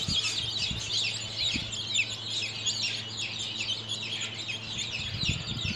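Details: Thirteen-day-old chicks cheeping en masse: crowded high chirps sliding downward, nearly unbroken, with occasional low thumps and a background hum.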